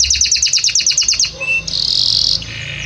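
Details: Belgian canary singing a series of about ten evenly repeated bright chirps, followed by a short buzzy high-pitched note and faint background hum.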